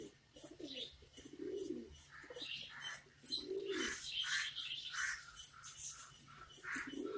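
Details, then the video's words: Australian pigeon giving low, throaty, rolling coos, several spaced bursts of about half a second, among a busy background of high chirping and twittering birds. "ஆஸ்ட்ரேலியன் புறா | Austrilan Pegion"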